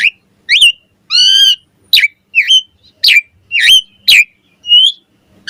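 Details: Asian pied starling in the morning, singing a loud mix of rising and falling whistles with one broad harsh note, notes spaced about half a second apart on a quiet background.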